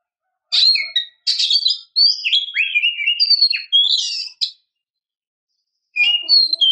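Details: White-rumped shama, a female calling the male, in a forest-style performance: loud varied whistled and buzzy phrases, rising and falling, in bursts for about four seconds, then a pause and a short renewed phrase.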